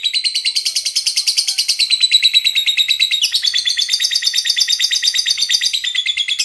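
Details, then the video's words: Lovebird in sustained, fast chattering song, dense high squeaky notes pulsing about three times per second without pause, pitch sliding between phrases. "burung Lovebird paling keren dan gacor"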